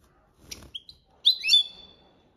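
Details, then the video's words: European goldfinch performing copia malaga training song: a brief thin whistle followed by a buzzy, twittering flourish of high notes lasting about half a second, over faint low rumble. "Jilguero Cantando la copia malaga _ Goldfinch bird singing the wonderful sounds for training songs"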